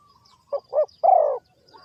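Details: Spotted dove from Ninh Thuận, recorded at a bird trap, giving one cooing phrase: two short, hollow notes followed by a longer, slightly falling coo. Faint high chirps from other birds sit in the background.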